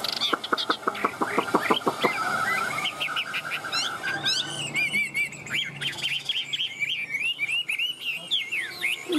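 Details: Chinese hwamei kept in a cage, singing tam hoàng song: fast repeated notes, then a flowing stretch of varied, warbling whistles and chirps.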